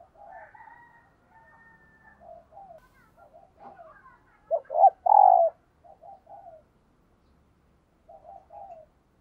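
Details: Spotted dove cooing at dawn as a decoy to draw wild doves. Mostly faint, broken coos, with one loud close phrase of short notes and a rolling croo near the middle.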